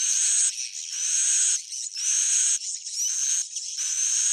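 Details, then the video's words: Lure roosting call of swiftlets: loud buzzy trills in three or four half-second to one-second bursts, each with a thin whistled upslur over the chatter. "Suara inap original"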